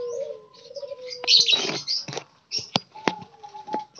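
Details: Captive spotted doves, wild-caught and kept together in a group cage, give low coos at the start, followed by loud wing flapping, clattering knocks and high chirps.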